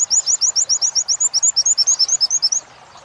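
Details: Oriental white-eye training recording, wit-wit material. High, sharp doubled wit notes repeat steadily about seven times a second for two and a half seconds, then stop, leaving faint background hiss.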